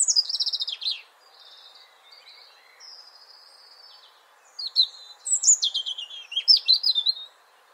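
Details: Song of a European robin: a descending cascade of high trilled notes and then drawn-out thin whistles. After a short gap comes another lively phrase of sharp, jumping notes and twitters, very high-pitched and varied, over faint background hiss.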